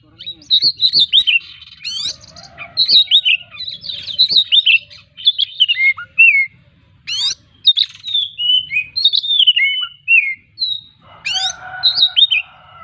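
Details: Owned Oriental magpie-robin delivering continuous, richly varied song full of mimicked phrases: quick descending whistles, chattering notes and occasional harsh rasps, several bursts in succession with brief gaps, with a lower buzzy note near the end.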